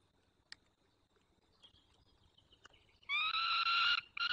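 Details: A white stork calls to an adopted young at a Dolina Baryczy nest in Poland, 9 June 2020, late morning; near quiet with faint clicks gives way to a loud, nasal, rasping call lasting about a second, then another begins.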